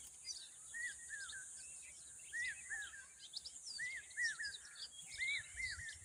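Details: Common babbler calling noisily to protect its young: short squeaky down-slurred notes, often in pairs and triplets, repeated irregularly over a steady high hiss.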